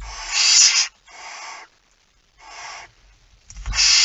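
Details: At a nest during feeding, barn owl sound recorded at 05:28 on 19 September 2019: four rough, rasping hisses of under a second each, the first and last loudest, with faint bumps.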